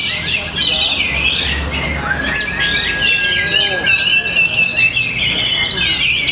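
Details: An orange-headed thrush from Tabanan, Bali, delivers a busy stream of high twittering phrases, with a long clear whistle held in the middle, then bursts of sharp, rising and falling notes.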